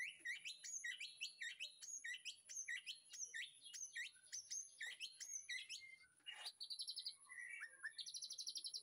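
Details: Captive white-rumped shama in a backyard aviary, afternoon feeding time, master song: sharp hooked whistles repeated about twice a second for six seconds, followed by rapid buzzy trills.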